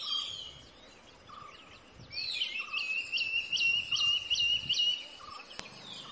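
Ornate hawk-eagle giving a rapid run of about seven high, clear whistled notes. A steady high insect drone and soft lower bird notes are heard behind.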